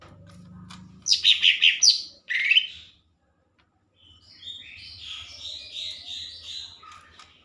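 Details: Lesser green leafbird in full vigorous song: four loud rich chirping notes in quick succession, a pause, then a long rapid chattering warble of high twittered notes over a low steady hum.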